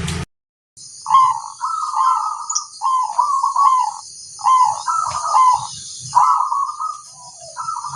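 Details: Local zebra dove singing actively in a song recording used as a master for other doves: rhythmic trilled cooing phrases, each about half a second, repeated roughly once a second with short gaps, over a steady high hiss.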